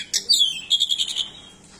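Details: A very vocal pied bushchat, an endemic form from Nusa Tenggara, delivers varied song phrases. A brief high whistle drops into a fast run of about eight clipped, buzzy notes.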